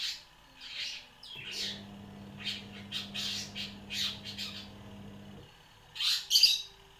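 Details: Long-tailed shrike, one year old, delivering borrowed bar-winged prinia and sparrow phrases: scratchy, high bursts spaced about half a second apart, a pause, then two louder harsh notes near the end over a faint low hum.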